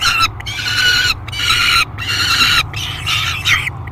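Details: Great Spirit Bluff nest box, July 3, 2021: a peregrine falcon screams noisily during feeding, giving long, harsh, strained screams with brief pauses, the last one rising, over a low hum.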